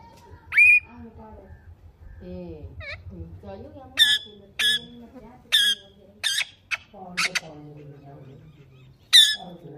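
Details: Indian ringneck pet parrot called Mithu uttering piercing single shrieks spaced a second or so apart, between stretches of a person speaking in a low voice.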